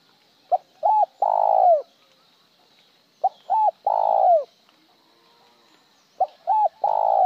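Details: Spotted dove cooing in the Vietnamese style called gọi một hậu lỡ: three phrases about three seconds apart, each two short low hollow coos followed by a longer drawn-out coo falling at the end. Faint steady hiss in the background.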